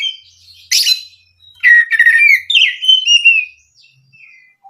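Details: Oriental magpie-robin song used as a lure to stir other magpie-robins into full, rapid singing: a harsh rasping burst, then clear whistled phrases sliding down and up, with a few quieter chips.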